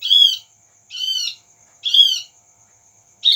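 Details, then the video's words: Javan grey-throated white-eye call used as a lure so the bird responds: three evenly spaced, rich harmonic chirps near one second apart, each slightly arched, followed by the start of a fourth, with a thin steady high tone underneath. "Suara pancingan burung opior jawa"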